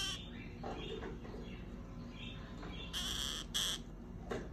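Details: A pair of orange-fronted parakeets gives two harsh, broadband screeches in quick succession near the end, each about half a second long, after softer chatter over faint background hiss.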